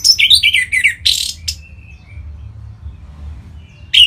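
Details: Orange-headed thrush, a bird kept in Bali, singing to spur other birds: dense, loud warbling and harsh bursts in the first second and a half, then a thin whistle and a renewed high phrase.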